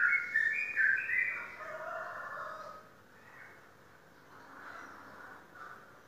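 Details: Caged competition sooty-headed bulbul of the ceko type from Indonesia, a contest champion, singing a loud burst of rich warbled, bubbling notes for about two seconds before fading into quieter phrases over a faint hum.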